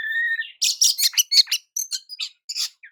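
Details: Oriental magpie-robin singing to stir up rival magpie-robins, opening with a steady two-toned whistle, then bursting into a dense jumble of harsh scratchy notes, chips and short whistles.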